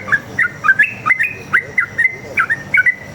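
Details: Sooty-headed bulbul song meant as a lure for other bulbuls to call back; a quick string of liquid, slurred whistles, each note sliding down then up, about four per second, loud and clear over a low hum.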